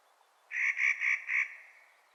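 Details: Spring calling of a Clark's nutcracker, four rough, nasal notes delivered in quick even succession, then fading away, against a quiet background.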